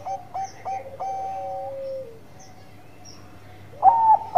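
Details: Zebra dove, Bangkok perkutut type, singing: three short staccato notes, then a drawn-out level coo that drops at the end, quiet gap, and a loud rising note starting the next phrase.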